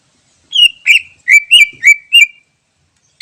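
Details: Wild greater green leafbird recorded as a lure: a run of six mellow, slurred whistles, some dipping and rising, delivered rapidly over about two seconds, then a brief start of another note.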